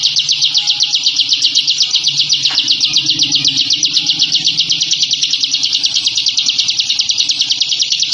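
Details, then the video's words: Bar-winged prinia (ciblek), a caged bird, singing ngebren to intimidate rivals: a tight, continuous, high-pitched rattling trill of rapid notes sustained for eight seconds, with faint low background hum. "Suara Masteran Burung Ciblek Ngebren & Rapat Abis"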